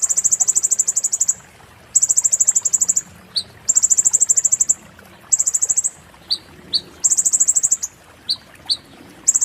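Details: Oriental white-eye singing 'muntah beling', master material for magpie-robins and shamas: four very high, rapid, rattling trill bursts about a second long, separated by pauses and single sharp chips.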